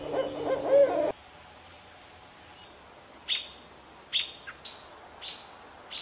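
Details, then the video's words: A Barred Owl gives one loud, rich hoot lasting about a second, followed by several sharp, high clicks at uneven intervals over a quiet background. "Recap with Barred Owl Calls and Sounds"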